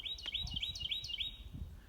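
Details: Carolina wren on the Bald Rock Boardwalk at Cheaha State Park sings a loud, high, ringing rolling phrase, likened to "Germany Germany Germany", about five times in under two seconds, with low outdoor rumble beneath.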